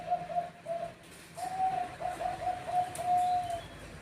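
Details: Bangkok-type zebra dove trading calls with other birds: two short clipped coo groups, a pause, then a longer run of steady, slightly rippling low coos.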